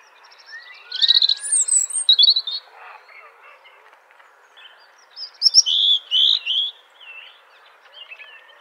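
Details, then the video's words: A robin sings two bright, warbling phrases of high, varied notes, each about two seconds with a short pause between, against a quiet background. "Robin Sound"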